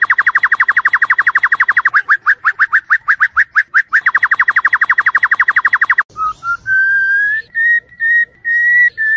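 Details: A white-rumped shama (Copsychus malabaricus) sings in a night lure recording for training contest birds: a fast, even rattle of clipped notes, about ten a second, that briefly slows and then gives way to long, smooth, rising whistles.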